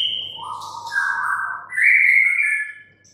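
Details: White-rumped shama singing one long, smooth whistled phrase that starts low, steps up twice and holds a high clear note, with a faint low hum underneath.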